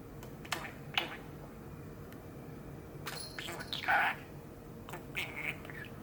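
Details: Pet male budgerigar, eight years old, kept indoors on a very hot day, starts chattering after a bell rings: scratchy, buzzy mimicked talking in short bursts with clicks, loudest near the middle, over a steady low hum.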